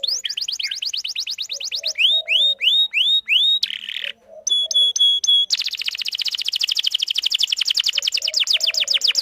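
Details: Canary song from a female calling in a male, used as a model for young birds learning to sing: a fast trill, slower upswept whistles, a buzzy note, pulsed tones, then a dense, sustained high trill.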